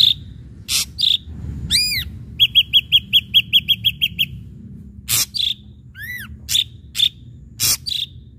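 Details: Ashy drongo singing energetically to provoke rival birds to sing: harsh rasps and short whistles, an arched overtone-rich whistle, a rapid run of about twelve bright notes, then scattered rasps and slurred whistles.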